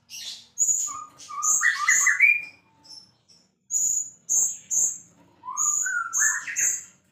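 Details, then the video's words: Champion white-rumped shama in full, energetic song: rich, varied whistled phrases mixing piercing high notes with lower rising slurs, delivered in bursts separated by short pauses, on a clean, quiet background. "murai gacor juara"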